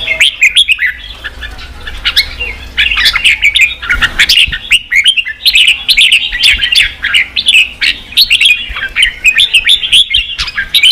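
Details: Red-whiskered bulbul song used to stir wild-caught birds to fight and to train singing: dense run of bright whistled, chattering phrases, rising and falling quickly, overlapping almost without pause, possibly several birds.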